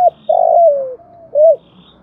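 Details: Spotted dove acting as a decoy to make wild doves coo in reply. A brief note, a long grating coo gliding downward, a faint level tone and a rounded arched coo play over a low steady hum.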